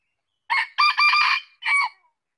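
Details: One clipped crow of a red junglefowl, three rasping parts with the middle one stretched longest and a short trailing final note, with no other sounds around it.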